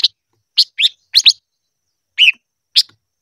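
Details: Silver-eared mesia singing for voice training: short separate chirped notes, bright and slightly rising, given singly or as a quick pair, with brief silent gaps between them.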